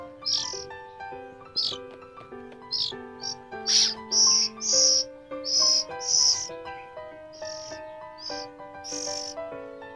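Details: Young captive Oriental magpie-robin (kacer), hand-reared and fed in the morning, giving sharp, high, scratchy begging squeaks in an irregular series, louder in the middle then softer, with background music throughout.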